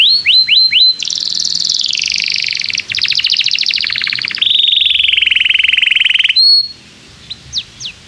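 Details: Canary song used to stimulate young canaries to learn: a few quick upslurred notes, then sustained high buzzy rolling trills shifting pitch, a lower steady rattle, a pure whistle, and scattered faint chirps closing.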